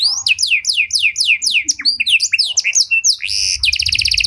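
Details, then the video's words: Panda canary with luxurious cengkok song for baiting and training other canaries: a fast series of descending whistled sweeps, quicker mixed chirps, then a bright high rattling trill. "Pancingan Suara Burung Kenari Panda Cengkok Mewah! Ampuh Buat Memancing Maupun Melatih Kenari Lain"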